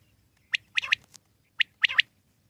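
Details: Wild common quail giving two crisp three-note phrases, a short sharp note followed by a quick double, clear and high-pitched, repeated about a second apart against a quiet background.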